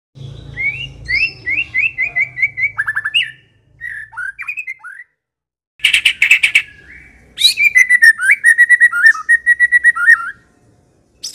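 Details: White-rumped shama from Medan, used as a lure and tutor song: clear whistled notes repeated in a run, a few slurred phrases, then a harsh buzzy burst and a long series of steady repeated whistles.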